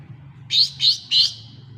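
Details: Lesser green leafbird, as a lure meant to prompt a mute bird to sing: three separate high, buzzy, slightly descending notes about a third of a second apart, with faint low hum behind.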